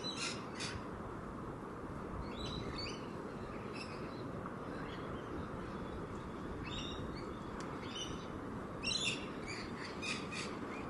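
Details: Wild rainbow lorikeets (Trichoglossus moluccanus) playing on grass give short, harsh, screechy bursts every second or two over a steady low rumble of wind or distant traffic.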